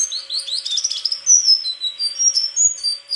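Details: White-throated flycatcher pouring out a fast, high warbling song: rapid buzzy twitters at first, then separate thin whistled notes, some rising, some falling, repeated at short intervals.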